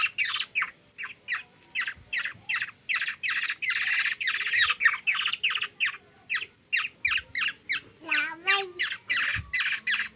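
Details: Black-naped oriole (kilyawan) from the Philippines, a hungry baby bird fed by a three-year-old girl, gives loud rasping squawks in quick succession, nearly three a second, with a brief tonal voice-like sound midway.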